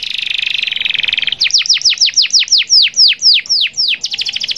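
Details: Long rolling canary song meant to lure and call rivals: a rapid buzzy roll, then a run of clear downward-slurred whistles about four per second, ending in a quicker burst of notes.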